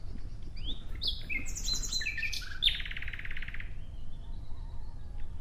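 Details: Nightingale song phrase of varied whistled and chirped notes that rises into a brief harsh, rapidly pulsed buzzy rattle before trailing off, over a low steady background rumble.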